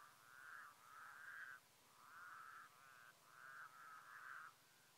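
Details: Mongolian White-naped crane recorded in 2015 giving bold, bugling notes, some doubled, in a series of five or six with short gaps, ringing and harmonic against faint low hum.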